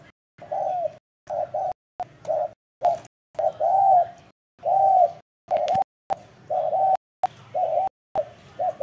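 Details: Spotted dove in heavy cooing: a steady string of low, hollow coos, some long and slightly arched, chopped by repeated abrupt silent cuts.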